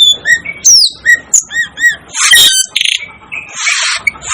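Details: Varied sounds from the Asian glossy starling, nicknamed the 'devil' bird: sliding whistles, paired arched chirps, then bursts of harsh rasping noise.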